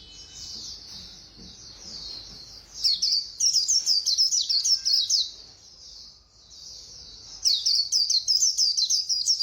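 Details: White-eye delivering quick 'líu' singing: quiet high twittering builds into loud runs of rapid, bright, descending chip notes, twice over, with soft warbling between.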